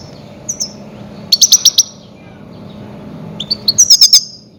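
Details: Goldfinch calls used to draw in grey-headed goldfinches for catching. Two bursts of fast, even, high tinkling notes, four to five in each run, are separated by a short quiet gap.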